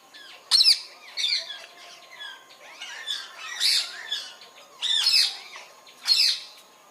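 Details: Natural sound of a rose-ringed parakeet: loud, grating screeches in spaced bursts, mixed with softer chattering notes in between, against a faint steady hum.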